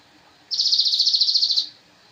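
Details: Javan cochoa master song for training cage birds: one loud, high, rapidly pulsed buzzing trill lasting over a second, rising sharply and fading out.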